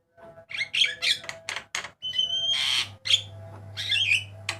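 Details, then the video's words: Javan myna, white-eyed type, varied song used as a master recording for training cage birds: harsh buzzy squawks alternate with short bright whistles and one long level whistle, over a steady low electrical hum. "JALAK KEBO MATA PUTIH KICAUAN MANTAP"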